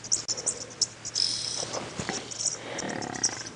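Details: Oxpeckers, possibly red-billed or yellow-billed, around a large buffalo herd on a morning safari drive at Djuma Game Reserve on 7 June 2016, giving short, high, hissy chirps in scattered bursts over insect hum and a man talking.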